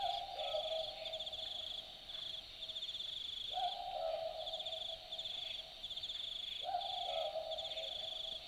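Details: A southern (Australian) boobook calls at night in bush in Dharug National Park, New South Wales, Australia. It gives a mellow two-note boo-book, the second note slightly lower, about every three seconds over steady high-pitched cricket trilling.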